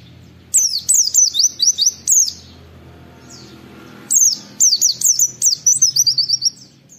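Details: Oriental white-eye singing in the 'nembak wit wit' style, a training recording meant for other white-eyes to copy: quick bursts of high, sharply downslurred whistled notes in two rapid runs separated by a pause of about two seconds.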